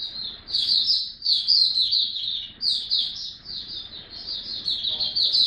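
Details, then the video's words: White-eye in a cage singing continuously: high, sweet, fast-run twittering notes rising and falling in overlapping phrases, over a faint low background murmur. "Mata Puteh Buka Sing"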